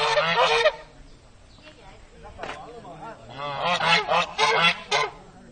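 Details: Territorial farm geese, noisy and aggressive toward visiting strangers filming them: loud harsh honks in a burst at the start, then a run of rapid overlapping honks near the end, irregular rhythm.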